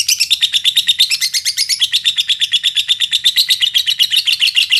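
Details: Lovebird from Indonesia's bird-keeping scene, singing to provoke other lovebirds: an unbroken, rapid, high-pitched chatter of rhythmic shrill pulses, loud and steady throughout.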